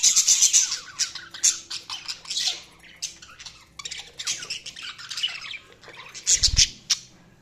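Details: Chirping budgies give a busy stream of squeaky, rasping notes and clicks that rise and fall in volume, with a short low thump near the end.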